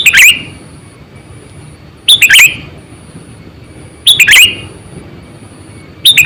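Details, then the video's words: Sooty-headed bulbul lure call for catching birds: bright, bubbly phrases of rapid rising-and-falling notes repeated about every two seconds, three full phrases and the start of a fourth, over faint hiss and a high steady whine. "Suara Burung Kutilang Gacor,100%Suara kutilang Asli"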